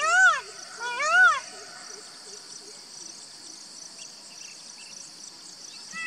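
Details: Indian peafowl gives two loud, rising-and-falling nasal calls in quick succession, then falls silent while a steady insect drone and faint background sounds continue.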